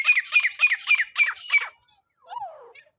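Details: Francolin calling as a net-trap lure: six quick, harsh, rasping notes, about one every quarter second, then a softer slurred note that rises and falls.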